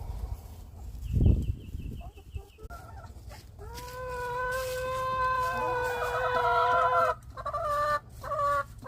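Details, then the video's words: Noisy chickens: a series of short repeated notes, then a long loud harmonic call held for several seconds, with shorter calls after it, over a steady low hum. "Noisy Chickens"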